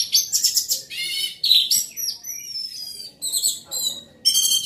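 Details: Orange-headed thrush, a captive songbird in loud full song: dense bursts of rich, varied whistles and rapid chattering phrases high in pitch, broken by short pauses and a long sliding whistle, with no other sounds clear.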